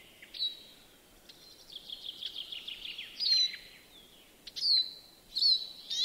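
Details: Greenfinch in a Joroinen yard, Finland, giving a drawn-out nasal, buzzy phrase followed by separate sharp chirps spaced a second or so apart, over low steady background noise.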